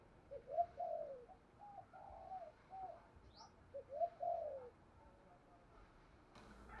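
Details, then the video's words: Spotted dove used as a decoy, cooing to provoke wild rival doves into a contest, in the thổ voice style. Low, mellow cooing phrases come in short clustered bursts, with a quiet outdoor background and a brief faint chirp. "Chim Cu Mồi Tiếng Kích Hiệu Quả- cu gù đấu với bổi"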